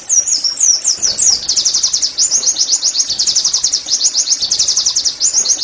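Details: Oriental white-eye song used to make caged birds sing: a few looping high whistles leading into a sustained rapid trill of thin, sharp chirps repeated several times per second throughout.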